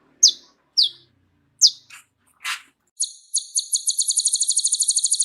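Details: Kolibri ninja (sunbird) singing a full, rich repertoire meant to tutor other songbirds: several separate sharp high downslurred notes, then a fast, high, buzzy trill that speeds up and runs to the end.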